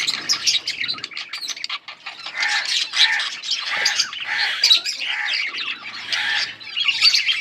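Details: Yellow budgerigars chirping and chattering, recorded on August 20, 2024: dense overlapping bursts of buzzy warbles and sharp squawks from several birds, with short tonal notes repeating in a busy, continuous flock chatter.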